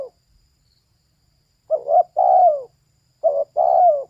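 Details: Two clear coo phrases from a female spotted dove, each a brief doubled note followed by a sustained, softly falling coo, in an otherwise quiet setting.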